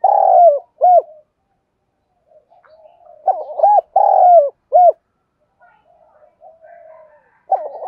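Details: Spotted dove calling, used as a lure to train birds for fighting: low hollow coos given in short bursts of two or three notes, pauses of a few seconds between groups, with faint soft murmurs in the gaps.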